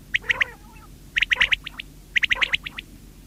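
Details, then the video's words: Common quail, locally called batair or badena, singing; three bursts about a second apart, each a quick run of sharp, clipped notes with a liquid quality, set against low background hum. "Batair ki awaz | common quail bird sound"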